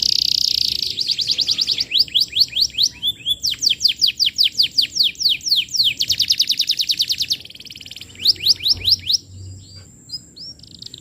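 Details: Non-stop singing canary used as a lure for training juveniles: a buzzy opening note followed by long rapid runs of sweeping whistled notes, pausing briefly before more quick swoops and softer chatter.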